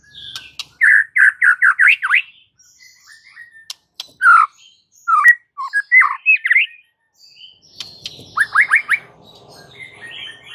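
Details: Vigorous song of a white-rumped shama, used to provoke rival males into fighting mood: bursts of rapid repeated rising notes alternate with sharper whistled phrases and short pauses, ending with a quieter high twitter.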